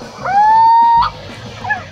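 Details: A Little Owl male territorial call, broadcast in daylight to check whether a male responds to claim territory early in the breeding season: one drawn-out mellow hoot swooping upward and holding nearly a second, then a faint shorter falling note.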